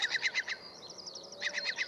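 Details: Eurasian curlew, most likely a male guarding chicks in the 2021 breeding season, yakking in alarm as it approaches the recordist to drive him away: fast bursts of sharp, hoarse notes about eight a second, with brief fainter slurred calls between.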